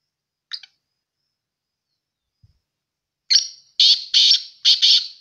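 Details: A black francolin (kala or desi teetar) calls: a brief note, a long pause, then a run of four loud, rasping, scratchy notes in a fast uneven rhythm near the end, with silence around them.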